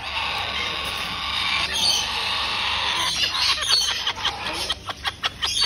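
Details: Cockatoo chicks being fed give a harsh, raspy, hissing rasp that runs steadily, then breaks into quick pulsed wheezes about three times a second.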